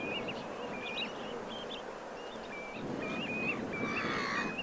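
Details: Common linnets in autumn on a beach at Pointe de Penvins, Morbihan, 28 September 2022: quick, bright twittering chirps, several notes a second, rising and falling, over steady surf and wind, with faint shorebird calls behind.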